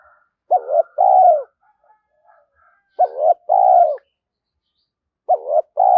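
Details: Spotted dove used as a lure, repeating its two-part coo three times about every two and a half seconds, a brief rising note then a long drawn-out coo, with faint soft chirps between.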